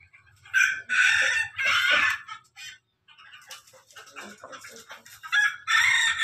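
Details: Ketawa and Pelung chickens crowing together, loud raspy bursts at the start, a quieter stretch of scattered syllables, then another strong crow at the close, with faint low rumbling.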